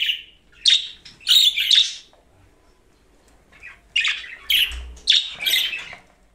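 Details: A budgerigar chatters and warbles in bright, scratchy bursts of chirps and squeaky warbles.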